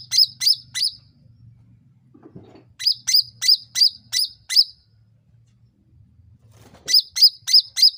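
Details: Sooty-headed bulbul lure sound for drawing fast replies: three short bursts of rapid, bright chirps, the longest holding six notes, with a soft low hum and a faint thump between phrases.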